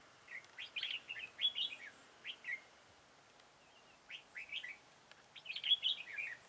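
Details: Red-whiskered bulbul recorded while being trapped with a decoy bird on 13 October 2018, described as singing its full song; bright, bubbly warbled phrases of several quick notes, repeated in bursts with short pauses.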